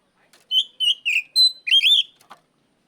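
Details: Oriental magpie-robin calling out a rival: five loud whistled notes, mostly level or slightly falling, closing with a warbled phrase, followed by a brief soft click.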